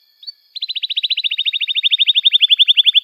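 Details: Canary singing a long even trill of rapid repeated notes, about ten per second, after one short whistle, used as a lure to train young canaries to sing.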